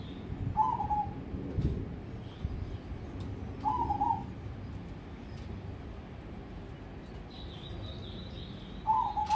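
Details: Crossbred zebra dove, a contest prospect, sings brief rolling coo phrases roughly every three to five seconds, three phrases in all, with a low rumbling background and a faint higher chirping near the end.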